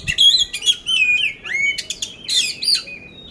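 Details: Contest-ready caged oriental magpie-robin in Magelang, Central Java, singing continuously in a coarse-fill style, with loud whistled phrases, steep downward slurs and scratchy high bursts.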